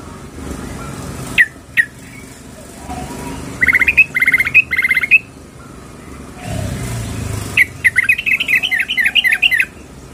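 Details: Scattered sharp notes and short buzzy bursts from a female yellow-vented bulbul calling a male, ending in a fast run of bubbly chatter.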